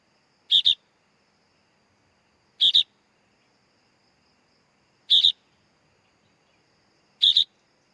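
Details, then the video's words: Young sooty-headed bulbul giving four rasping double-pulsed chirps, evenly spaced roughly two seconds apart, high-pitched and brief, with near silence between them. "Suara Anak Burung Kutilang"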